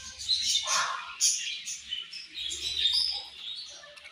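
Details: Budgerigars at morning feeding time giving high chirps and short whistled notes over continuous chatter, a lower squawky burst near the start.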